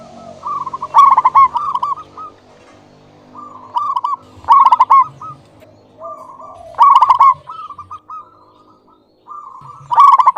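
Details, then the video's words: A local zebra dove sings eagerly in a clear tone, four loud trilled coo phrases spaced about three seconds apart, each trailed by quieter bubbling coos, with faint low rumbling. "Perkutut lokal GACOR suara jernih"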